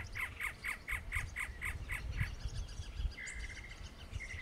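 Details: Great antshrike: a fast series of clear, evenly spaced notes repeated about four times a second, followed by a longer, flatter note. Faint calls continue near the end over low background rumble.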